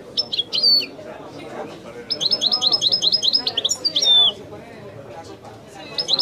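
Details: Wedani-style song of a European goldfinch: bursts of sharp high chirps, then a rapid regular string of bright twittering notes, a few long whistled slides and tinkling trills, with quiet pauses and faint murmuring behind.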